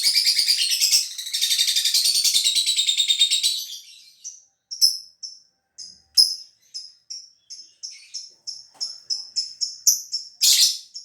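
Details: Caged lovebird from Gresik, East Java, Indonesia, giving its long 'cerrr' trill as the cage cover opens: a rapid, buzzy, rattling trill for about four seconds, then a run of short high chirps.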